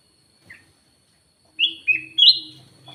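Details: Three loud whistled notes from a black-naped oriole, rising then dropping, used as a lure call, with a faint low hum underneath.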